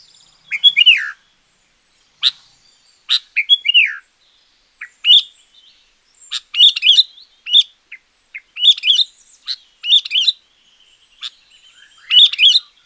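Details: Champion sooty-headed bulbul singing, used to lure wild birds or to train quiet bulbuls. Short, loud, gurgling whistled phrases repeat roughly every second in a lively, broken sequence.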